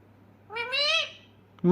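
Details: Pet parrot calling its owner: a single rich, nasal call that rises gently and then drops away, followed by a short sharp sound at the very end.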